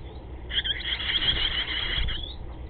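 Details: Barn swallow at its nest, recorded 20 July 2010 around midday, gives a dense burst of high, scratchy twittering lasting about a second and a half, over a low background rumble.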